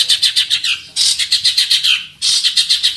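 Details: Fighting long-tailed shrike singing hard and packed with learned mimicry while challenging an opponent. Dense, harsh, chattering notes come in quick pulses, broken by a brief pause before resuming.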